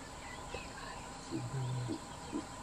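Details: Verreaux's eagle-owl calling from up in a tree during the day, seen close, in Kruger National Park, giving a few deep, low grunting notes, one drawn out briefly, over a steady soft background hiss.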